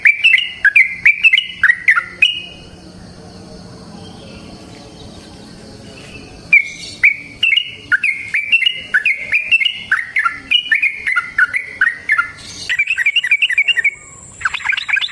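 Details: Yellow-vented bulbul (trucukan) singing long 'ropel panjang' phrases outdoors in the wild: runs of quick bubbly chattering notes, a few seconds of near quiet, then a long fast rolling sequence, and a brief high thin whistle near the end.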